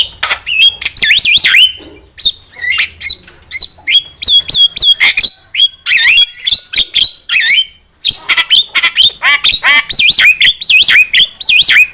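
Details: Javan myna song for luring birds to a trap: long, dense stream of loud chattering, squeaky whistles and wavering trilled phrases, nearly continuous, with a brief pause near the end.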